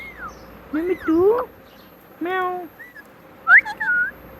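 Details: Talking pet parrot known for saying "Mitthu Mitthu"; rough, voice-like syllables with rich overtones mixed with brief whistled slides, in two or three short bursts with pauses between.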